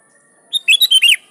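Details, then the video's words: A single sooty-headed bulbul phrase, sung persistently to call out rivals: a short opening note, then three quick liquid whistled notes that bend up and down, in a quiet background. "Suara Burung Kutilang Gacor Memanggil Lawan || Kutilang liar nyaut dan GACOR"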